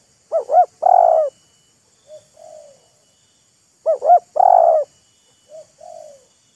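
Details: Spotted dove, decoy and wild bird trading calls in a show-off, teasing and courting duet: a quick double hooked note, then a long throaty coo, answered by a softer two-part coo. The whole phrase repeats about 3.5 seconds later.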